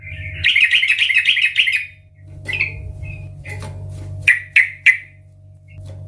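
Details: Sooty-headed bulbul singing loud 'ngeplong' song meant to prompt other bulbuls: a rapid bubbling trill, a gap, then several clipped notes ending in three sharp separate calls, over a low hum.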